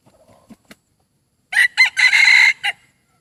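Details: A decoy chicken with a strong, admired voice crows loudly and close: a few soft notes, then two short harsh syllables and a long, strained, ringing crow ending in a clipped final note.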